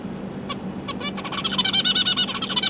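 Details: Zebra finch young, three juveniles and three new babies, with parents feeding them, 12 December 2022: two isolated nasal calls, then a quickening, loud chatter of buzzy stuttered notes over a low hum.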